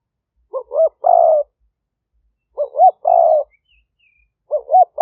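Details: Captive spotted dove used as a decoy for wild doves in Roi Et province, Thailand, recorded in 2021 by smartphone: three evenly spaced phrases of stuttering short coos and a long rough coo, with faint high chirps from another bird.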